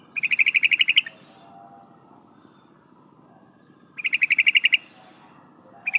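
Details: Female sooty-headed bulbul calling to the male, used as a lure for males: bursts of about a dozen rapid, harsh, evenly spaced chattering notes lasting roughly a second, repeated after a pause of several seconds, over a quiet background.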